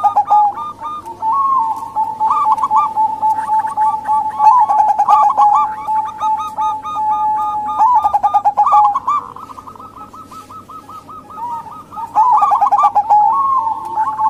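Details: Lure recording of a female local zebra dove for drawing in males or wild doves: long chains of quick, bubbling coo notes, a softer gap near the middle, then renewed trilling over a constant drone.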